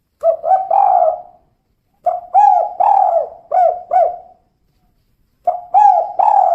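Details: A female tekukur, the spotted dove, repeats its 'kuk 2' phrase: a pair of short hollow coos leading into a sustained one. Three phrases are heard, with brief silences between them and no other sounds.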